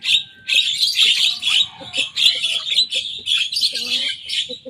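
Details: Young Javan myna in vigorous song mimicking rival birds, an almost continuous stream of loud, rough, buzzing chatter with quick stuttering notes and a few soft lower tones mixed in.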